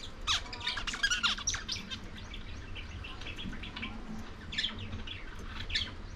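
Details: Feeding lovebirds eating corn produce rapid high chirps and twitters in a cluster at the start and again near the end, with quieter chirping between.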